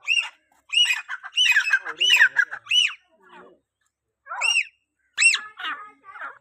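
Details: Grey francolin (teetar) calling, used to call other francolins: loud, harsh, arched notes given in rapid bursts, one run of about two seconds, then a pause and two shorter bursts. Clean background.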